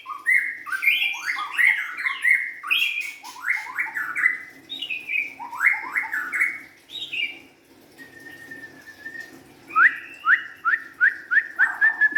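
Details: White-rumped shama, a young forest-caught bird, pours out dense overlapping whistled phrases, a steady held tone, then a fast run of repeated bright notes.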